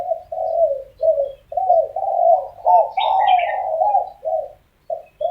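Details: Spotted doves arguing in the morning: low, throaty coos in short repeated phrases, about two per second, overlapping and uneven, with a brief higher twittering of another bird midway.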